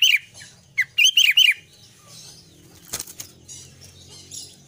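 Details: Active singing by an albino sooty-headed bulbul: rapid bubbly whistled notes that slur downward, repeated in a short burst, followed by a loud flutter of wings and quiet rustling.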